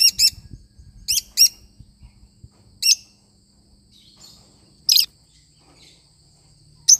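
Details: Pet lovebird parrot singing: short sharp high chirps in clusters of two or three, spaced by pauses of one to two seconds, with a faint low hum underneath.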